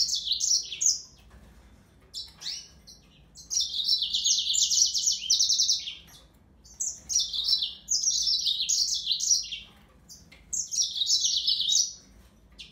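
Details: Song of a yellow-fronted canary, Serinus mozambicus, given in four or five bright phrases of fast repeated notes, each about one to two seconds long and spaced by short silences.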